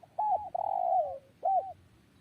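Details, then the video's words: Spotted dove cooing: a short hooked note, then a long drawn-out hoarse coo sliding downward, and another short curved note after a brief pause, with a quiet low background. "GELAGAT BURUNG TERKUKUR | SUARA YANG PADU"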